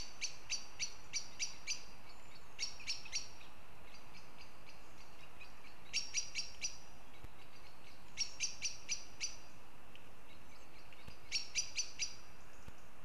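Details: Northern goshawks calling in Riga, Latvia: repeated bursts of rapid, harsh, chattering notes, each burst about one second long with pauses of a few seconds between, over low steady background noise.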